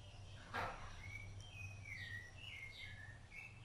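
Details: Rufous-bellied thrush while feeding its chicks: a sharp click, then a flowing series of whistled notes that slide up and down, steady low hum in the background.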